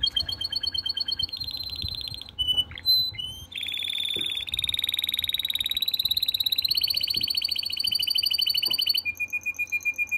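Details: Canary singing in breeding condition, calling to the female: a loud, continuous song of rapid trilled tours, each a fast repeated syllable held about a second before switching to a new pitch, some buzzy, others pure and ringing.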